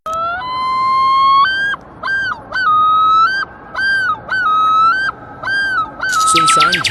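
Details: Common Loon yodel, a call said to sound like a madman laughing and heard at night by the shore: a long rising wail, then about five loud two-part ringing phrases roughly every second, ending in a harsher, broken cry.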